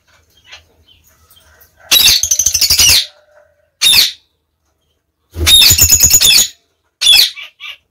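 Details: A captive female budgerigar, waiting for a new mate after her last one died (owner says she killed him), gives four harsh, raspy, coarsely pulsed screeches up to a second long, separated by short silences, after a few faint chirps.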